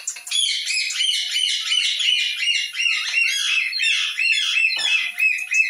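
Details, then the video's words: Talking parrot giving a continuous stream of high, wavering, squeaky chatter and warbled notes, dense and unbroken for nearly six seconds, in a small room. "Talking Parrot"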